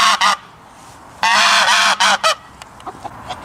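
A goose gives loud, harsh, nasal honks: two short ones, a long drawn-out blare, then more brief honks trailing off.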